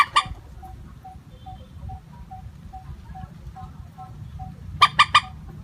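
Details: Common moorhen call used as a bird lure, steady in tone: one sharp clucking note, a long gap with a faint series of soft, evenly spaced pips, then a quick burst of three harsh clucks.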